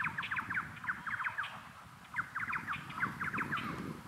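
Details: A pair of Ferruginous Pygmy-Owls in a tree in the Pantanal at Pouso Alegre, Brazil, on 7 July 2019 give short, clipped whistled notes in overlapping bursts of three to five, with Rufous Horneros and a low rumble behind them.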